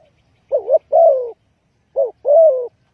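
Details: Spotted dove lure call for trapping, two clear phrases: a wavering double coo, then a long falling croo, the second phrase shorter in its opening note.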